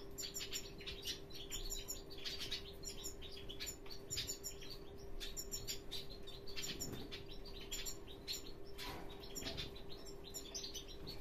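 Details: Hooded siskin (Spinus magellanicus) father giving rapid, high twittering chirps in bursts throughout, with wing flutters and a steady low mechanical hum behind.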